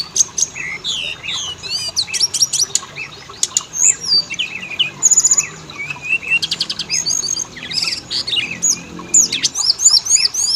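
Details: Oriental magpie-robin singing, used as a lure so males and females start singing; loud, dense mix of whistles, harsh rattles and bright slurred notes, varied throughout.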